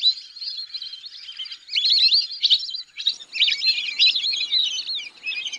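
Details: Lesser whistling ducks give quieter scattered whistles at first, then louder, busier runs of high twittering notes crowding together in the second half.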